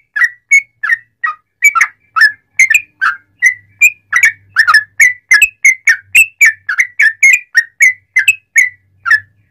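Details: Sooty-headed bulbul in energetic long rapid-fire song, used as a lure to make other bulbuls sing: a steady run of short, clear whistled notes, each slightly rising or falling, about three per second, with no other sounds.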